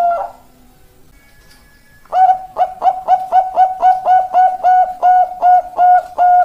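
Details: Zebra dove, Bangkok-type perkutut; after a brief opening note and a quiet gap, a sustained run of about fourteen clear, level, hooting coos, steady and evenly spaced.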